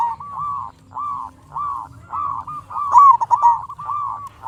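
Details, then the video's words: Local zebra dove singing to lure and stir up other doves: a string of short, even cooing notes with gaps between them, then a louder warbled stretch, over low background rumble. "Perkutut Lokal Gacor RAJA PIKAT Ahlinya Bikin Semua Burung Perkutut Nyaut"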